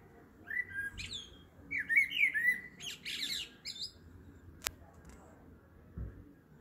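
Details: Evening blackbird at 7.30 pm, delivering rich warbled phrases with rising whistled notes and bursts of thin high squeaky twitter, followed by a single sharp click and quieter background.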